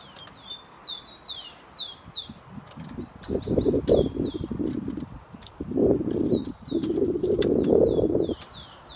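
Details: Tico-tico, the rufous-collared sparrow, a kept bird from São Paulo filmed 27 September 2015, pouring out high downslurred whistled notes in rapid series, with rumbling low background noise and clicks throughout.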